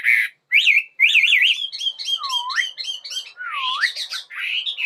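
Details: Bird singing in the morning: quick wavering whistled trills and chattering notes, then two deep, swooping whistles that dip and rise, ending in a harsher warble.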